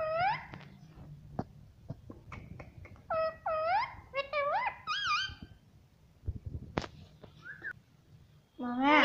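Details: Talking parrot known for saying "mummy papa" utters many short wavering, harmonic syllables and clicks in quick succession over a steady low indoor hum, ending with a louder rising squawk.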